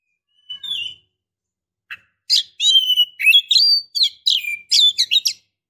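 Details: Female white-rumped shama, in breeding condition, calls to draw a male: a lone whistle, then a fast run of sweet whistled notes mixed with sharp chirps and rising slurs, nearly continuous toward the end.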